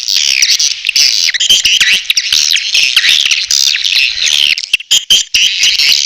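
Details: Swiftlets in a natural lure recording of the Elang Borneo kind, used to draw birds in: an unbroken stream of shrill, raspy twittering with wavering high notes, pulsing briefly near the end.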